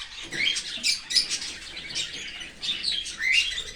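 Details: Young cockatiel being fed by a parent from outside the nest in an open aviary: shrill, scratchy squeals in two clustered bouts with a short pause between.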